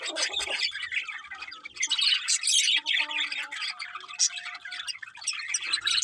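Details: Morning birdsong from a crowd of birds, harsh squawks mixed with quick high chirps in uneven bursts, and a few faint held tones in the middle.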